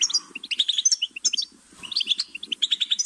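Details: Goldfinch singing lively twittering phrases of high chirps and short buzzes, pausing briefly near the middle, with soft low rustling beneath.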